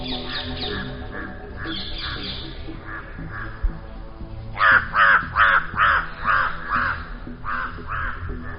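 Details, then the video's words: Crows in a forest caw loudly as they circle an eagle owl, trying to steal the rat it holds. A rapid series of harsh, hoarse caws follows quieter calling, with background music throughout. "अब कौवों की तेज आवाज से जंगल की शांति भंग हो चुकी थी।"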